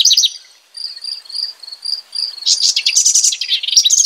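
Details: A house wren opens with a short bubbly fragment, pauses while a regular high pulsing chirp continues, then delivers a dense, buzzy cascade of rapid notes.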